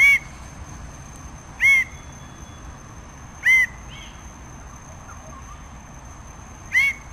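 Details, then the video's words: Red bird-of-paradise (Paradisaea rubra) calling with well-spaced single loud, ringing, upslurred notes, four in about seven seconds with irregular gaps, a thin constant high-pitched whine running underneath. "Canto del Ave del Paraíso Roja"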